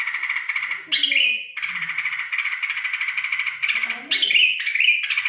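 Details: Sooty-headed bulbul heard at night on 13 December 2023, giving long, nearly continuous buzzy, rattling chatter broken by several sharper squawks. Faint low voices or rustling sounds sit underneath, and a thin high whine persists.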